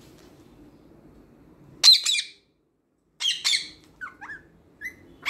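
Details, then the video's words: Green parrot kept as a pet, mimicking speech: two harsh, loud squawk-like syllables, a silent gap, another loud pair, then soft gliding chirps and a sudden shrill note at the end. "Baat karne wala tota |Talking Green Parrot"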